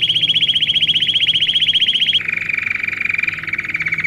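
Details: Canary song used to tutor young birds in training, with a rapid, regular high rolling trill for about two seconds, then a drop to a lower, slightly rougher fast roll. A quiet low hum sits in the background.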